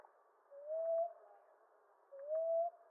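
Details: Two soft, upward-gliding coos from a common ground dove, about one and a half seconds apart, with faint clicks in the background.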